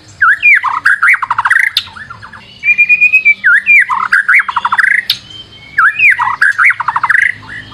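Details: Lure song of a white-rumped shama, loud and varied: sweeping whistles leading into rapid rattling trills, repeated in three bursts with a short pause between each.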